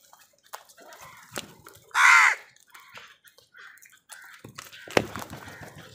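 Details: Crow fighting with wild birds for food gives one loud, harsh, drawn-out caw amid faint clicks, rustles and scattered softer bird notes.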